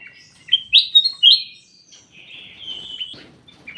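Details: Ruby-throated bulbul in a private aviary giving three quick loud whistled notes, then a long, slightly wavering whistle that fades, ending with a short chirp.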